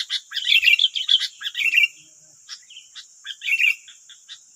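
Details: Wild sooty-headed bulbuls in West Lampung, nine birds answering a single decoy bird during lure trapping: dense, noisy chatter of sharp, bright chirps and short warbled notes in quick bursts, then quieter scattered calls.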